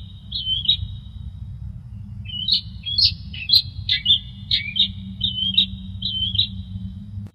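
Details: Long-tailed shrike song with varied imitative phrases: a short twisting whistle, a pause, then a rapid string of high, clipped, warbled and looping notes with sharp accents, over a continuous low hum.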